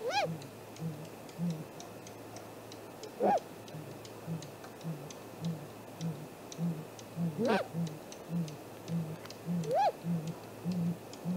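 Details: Nest camera on a great grey owl's tree, 2 April 2018, 7:15 am: four arched calls at irregular intervals, rising then falling, over a continuous train of low pulsed sounds and faint ticks.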